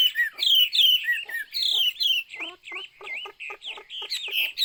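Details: Chinese hwamei singing: loud varied whistled phrases sliding between high and middle pitch, then a run of quick repeated upslurred notes with clicky edges, about three per second.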